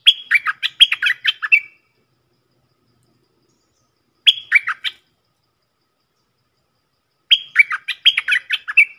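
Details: Stripe-throated bulbul song: bursts of rapid bubbling, warbled notes that step up and down, each phrase about one and a half seconds long, separated by silent pauses, clean with no background sounds.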